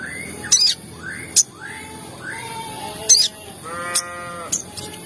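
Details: Lure recording of sogon meant to excite other sogon into calling: a run of upward-slurred whistles roughly once a second, a broad nasal harmonic call near the end, and crisp high ticking clicks between.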